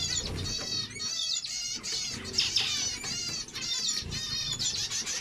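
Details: Zebra finches singing, a run of nasal trumpet-like buzzy syllables in short bursts, several birds overlapping, soft low background noise.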